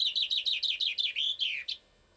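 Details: Common chaffinch singing somewhere in Bucharest: a fast series of about eight bright, repeated descending notes, then a quicker run closing in a short rising-falling flourish, all within under two seconds, followed by quiet.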